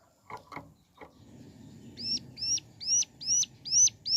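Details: Mountain leaf warbler (ciblek gunung) in morning song, starting after a few low knocks and a rumbling background, then giving high, sharply hooked whistled notes repeated about every half second and growing louder.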